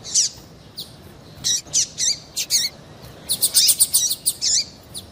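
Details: Female double-collared seedeater giving calls used by breeders to stir males into singing for song tournaments; short high, thin chirps and quick slurred notes in small bursts, denser toward the end, over a quiet background.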